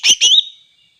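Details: Greater green leafbird, its song said to provoke other leafbirds: two loud, rich, slurred whistled phrases in quick succession, the second longer and wavering before fading away.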